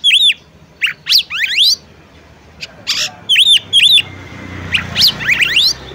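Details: Female oriental magpie-robin calling the male to make him sing, with arched double notes, buzzy rising sweeps, a brief pause, more paired arches and a faint thin whistle under the final upward chirps.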